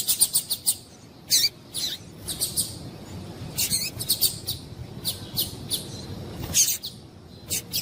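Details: Female double-collared seedeater call used to stimulate a male, given as quick clusters of high, thin chirps repeated throughout, some doubled, with brief gaps between bursts.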